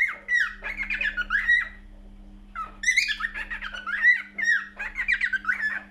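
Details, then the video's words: Cockatiel singing, two runs of warbled, chattering whistles with rising and falling slurred notes and squawky harmonic bursts, separated by a short pause; a steady low hum runs underneath. "Best Cockatiel singing"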